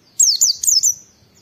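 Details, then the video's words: Oriental white-eye in a training (tutor) recording, giving energetic "wit wit" shooting calls meant to provoke other white-eyes into singing: three quick, very high whistled notes, each sliding sharply downward, run together in under a second. "Masteran Pleci Nembak Wit Wit"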